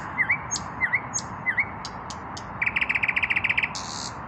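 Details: An unmated male common nightingale in evening song, breast raised: three paired down-up slurred notes, a few dry clicks, then a fast run of about fourteen repeated notes closing with a harsh buzzy burst.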